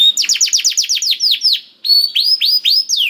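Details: Canary song meant to stir a reluctant canary into singing: a quick run of repeated high falling notes, a short pause, then several slower rising-and-falling whistles.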